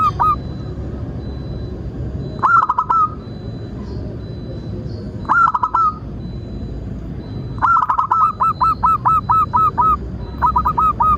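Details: Lure recording of a zebra dove singing: short coo phrases at irregular gaps, then a long run of about ten quick repeated cooing notes near the end, low background hum.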